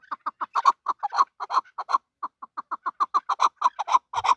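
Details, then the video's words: A male chukar partridge chucks repeatedly in short mid-pitched notes, a brief pause midway, then the rhythmic series resumes and quickens. "Male chakor voice"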